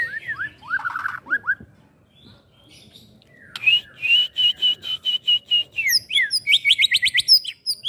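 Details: Young caged white-rumped shama being prepared for contest. It sings a varied phrase: quick downslurred whistles, a steady series of about a dozen repeated whistled notes, then fast high chattering trills.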